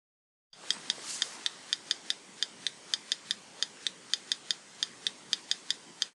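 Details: Western yellow rail tick call, used on summer nights in breeding wetlands to survey the birds: dry, sharp clicks like pebbles tapped together, in quick uneven clusters of two or three, steadily repeated against a quiet night background.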